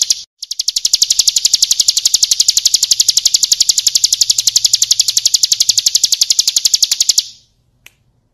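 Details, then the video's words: Bar-winged prinia, kristal song for training cage birds: one long unbroken trill of quick, bright, high ticking notes running nearly seven seconds, then stopping abruptly with one faint click afterward. "Masteran Suara Burung Ciblek Kristal"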